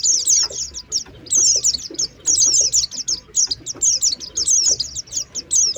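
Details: Oriental white-eye chattering lure, recorded 2023: bursts of excited high chirps alternating with brief gaps, quick, thin notes falling in pitch, little other sound.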